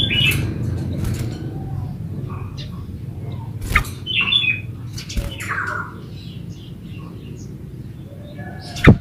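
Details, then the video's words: Yellow-vented bulbul singing in a gacor ulpik ropel style, a recording used as a lure so other bulbuls answer and sing. Short, bubbly, warbled phrases come in scattered bursts over a steady low hum, with sharp clicks and knocks. "SUARA BURUNG TRUCUKAN GACOR ULPIK ROPEL INI COCOK BUAT PANCINGAN TRUCUKAN"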